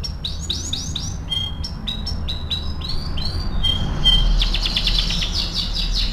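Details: Master training song from a canary: a run of quick repeated upswept chirps, a few clear whistled notes, then a dense rapid high trill, over low background rumble.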